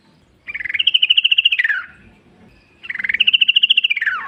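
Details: Yellow-vented bulbul singing wild in the forest, used as a lure to make other bulbuls sing back: two bubbly, rapidly chattering phrases, each about 1.3 seconds, rising then sliding down at the end, separated by a short pause.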